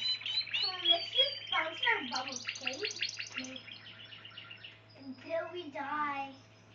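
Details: Spanish Timbrado canary singing dense trills mixed with lower gurgling, warbled notes, then a pause before another rolling burst, with a low hum in the background.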